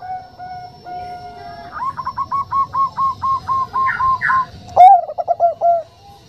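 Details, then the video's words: Female zebra dove of the Bangkok kind calling a male in a gentle voice. A low steady tone gives way to a quick series of clipped coos, two higher notes, then a strong accented coo and rolling trill. "Perkutut Bangkok Suara Lembut"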